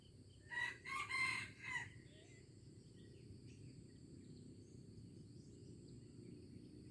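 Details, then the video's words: Far-off junglefowl in Aceh on 25 April 2020 crowing once, four choppy harsh syllables in under two seconds, followed by several seconds of steady insect drone and low rumbling noise. "Ayam Hutan Aceh"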